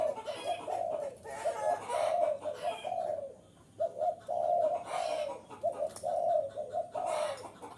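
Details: Spotted dove cooing, used as a strong lure to draw wild doves in. Mellow, hollow coos come in short runs of two to three notes, repeated steadily. High, scratchy chirps from other birds break in between the phrases.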